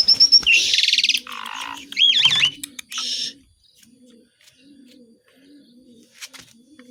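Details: Asian pied starling in energetic full song packed with mimicked calls of other birds. A high clear whistle, harsh buzzy rattles, a lower grating burst and wavering whistles fill about three seconds, followed by soft, low, repeated cooing notes in the background.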